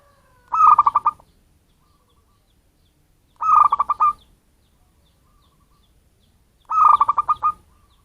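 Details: Native wild-type zebra dove, not a bred or crossbred bird, calling as a bird lure: three evenly pitched, stuttering coo phrases, each under a second long, repeated roughly every three seconds in a quiet setting.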